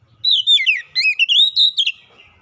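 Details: An Oriental magpie-robin used as a lure bird sings a rich, fast run of clear whistles, slurred up and down and rising toward the end, all within about two seconds.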